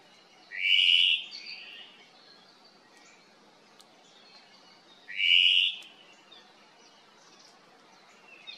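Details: Hawaiian thrush, or ʻōmaʻo, calling to its cohorts along the Kaulana Manu Nature Trail on the Island of Hawaiʻi. Two loud, rasping, slightly buzzy calls come about four seconds apart, each followed by fainter scratchy notes, over a soft hiss.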